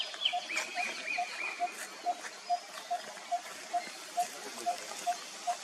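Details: Malabar barbet in India's Western Ghats giving a steady series of short, low, hollow notes about every 0.4 seconds; another bird adds a few thin whistled notes near the start, over light background hiss.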